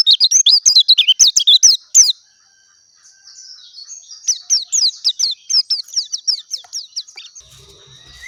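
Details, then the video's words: Clear oriental white-eye song, locally pleci dakun: a rapid burst of high descending chirps, a short pause, then a second series of evenly spaced downslurred chirps that fades out. "SUARA ASLI BURUNG PLECI DAKUN JERNIH"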